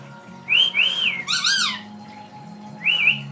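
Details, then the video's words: Female lory kept as a pet, mimicking her owner's sounds: smooth arching whistles, then a rich layered warble that rises and falls, a pause, and another pair of bouncing whistled notes, over a low indoor hum. "the talking Lory"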